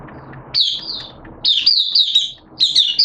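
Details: Hobby white-eye singing on 11 September 2022 during wet, erratic weather: three short bursts of high, sweet, rapidly slurred twitters separated by brief pauses with faint background noise.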